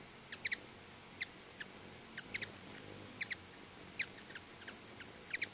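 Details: Crisp, high single and paired chips, each sounding bright and clicky, come every half second or so from hummingbirds gathered at two feeders in front of a house.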